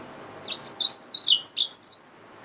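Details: Hybrid finch, a yellow-fronted canary mule, sings a lively one-and-a-half-second phrase of high, bright, zigzagging chirps. The notes are tightly linked and rise and fall quickly before the bird stops.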